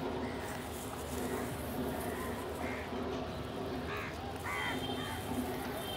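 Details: Crows feeding together alongside pigeons, giving a few hoarse, harsh caws late in the recording, two close together near the end, over a steady droning background hum and general outdoor noise.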